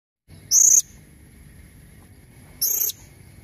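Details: Blue-crowned hanging parrot; female call; female calling to attract males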